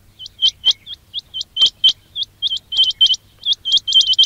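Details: Quail calling, used to attract birds for trapping: a fast, nearly continuous series of short hooked whistles, grouped in twos and threes, quickening and crowding together toward the close.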